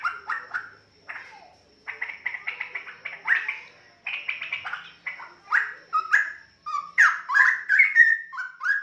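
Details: Young Straw-headed bulbuls, a pair from the same nest bred from young wild parents, the larger-headed one thought to be male. Bursts of chattering raspy notes alternate with short rich slurred whistles, separated by brief pauses.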